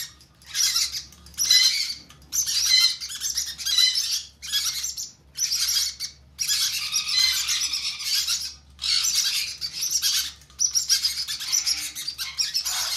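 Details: Conure chicks begging while hand fed, giving rhythmic bursts of harsh, noisy squawking about once a second, each burst separated by a brief silence.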